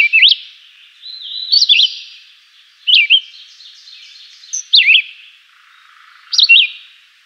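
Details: Chivi vireo singing a simple, melodious song: short warbled phrases of quick rising-and-falling whistled notes, about one phrase every one and a half seconds, five phrases in all, with a faint background hiss between them.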